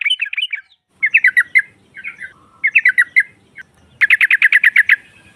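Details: Female sooty-headed bulbul, known locally as trucukan, calling to draw rival birds: short groups of quick, slurred chirps, ending in a fast, dense run of about a dozen repeated notes.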